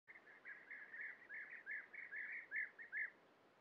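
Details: European bee-eaters at a breeding colony where adults feed young in nest burrows: a rapid series of rolling, burry calls, about two to three a second, some ending in a clearer upward-flicked note.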